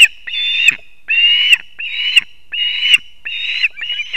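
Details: During a double fish delivery by the male to the chicks at a Kurzeme osprey nest in Latvia, 3 September 2024, 6:40 am; five long, harsh whistled cries separated by short pauses, with clicks at their ends.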